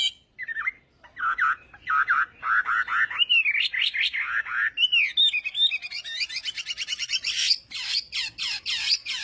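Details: Chinese hwamei morning singing practice: repeated slurred whistles, rising looping phrases, then a fast buzzy high trill near the end.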